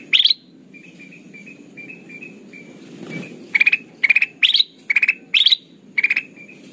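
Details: Golden bulbul (kutilang emas) song used as a trapping lure: buzzy, rattling bursts of rapid pulses in clusters, some rising higher, with faint high thin tones between and a steady high hiss in the background.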